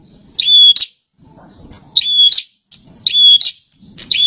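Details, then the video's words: Bar-winged prinia, a caged bird, singing: brief phrases of a steady high whistle with harsh buzzy ends, repeated every second or so. Faint low shuffling noise between them. "Pranjenak gacor"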